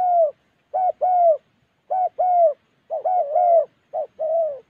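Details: Spotted dove from Gia Lai in Vietnam's Central Highlands forest calling clear, hollow coos, short then long, in paired phrases with brief pauses between groups.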